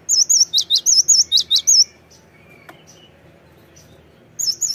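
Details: Cinereous tit lure call used to draw other birds into answering: a fast run of about nine loud, high whistled notes, some rising and some dipping, followed by a quiet gap before the series starts again.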